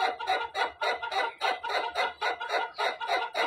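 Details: White rooster's long crow in its loud, rough pulsed phase, harsh bursts repeating about three to four times a second, heard right after laughter.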